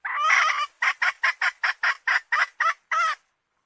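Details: A hen's long, quavering, harmonic cry is followed by about ten clipped, harsh clucks and a final drawn-out squawk.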